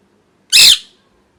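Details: A pet parrot, losing feathers through molt, utters one abrupt, raspy screech lasting roughly half a second, then the room falls silent.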